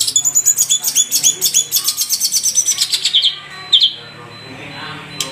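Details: Madura long-tailed shrike in a full-length training recording, delivering a fast rattling series of about twenty sharp, repeated notes over three seconds, then two separate buzzy calls, with a low background hum.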